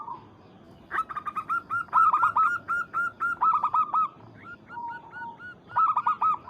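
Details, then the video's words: Zebra dove, a local bird whose call is meant to summon and provoke a rival. Loud bursts of rapid, ringing coos follow one another with short pauses, with a lower drawn-out note in between. "PERKUTUT Lokal MEMANGGIL LAWAN"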